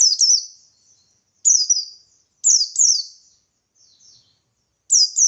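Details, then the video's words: Ngalas-style song of a buxtoni white-eye, meant to provoke answering birds; thin, high, falling whistled phrases of two or three notes, spaced by roughly one-and-a-half-second gaps, with soft twitters between. "Burung Pleci Buxtoni Gacor Ngalas Memancing Emosi Paling Ampuh"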